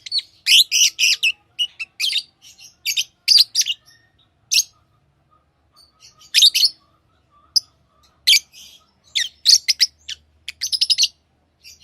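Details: Tamed lovebirds chirping indoors, a steady stream of shrill, buzzy high chirps in short clusters and scattered single notes, with brief quiet gaps between bursts.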